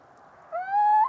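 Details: Little owl (Athene noctua) song: a single drawn-out mewing hoot that starts after half a second of quiet and slides gently upward, ending in a slight lift.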